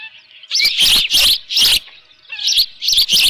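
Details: Osprey at its nest with a live fish on the morning of 24 June 2018, 7:32 AM; loud, harsh, high chirping bursts in short clusters with brief pauses, plus a few thin whistled notes between them.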